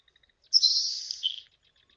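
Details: Nelson's Sparrow, hard to pick up at 100 meters: a few faint ticks, then a thin, airy, hissing buzz like bacon sizzling, close to a second long, fading out in a slightly lower sputter.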